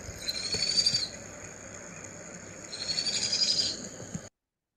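Powerful Owl chick begging: two shrill, high trilling bursts about a second long, separated by a short pause, over a low background hiss.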